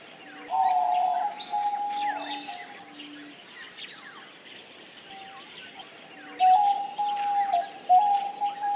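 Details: Steady, soft cooing of a Diamond dove: a sustained flat note early on, a quieter stretch, then renewed long level notes toward the end, with scattered twittering chirps of other birds throughout.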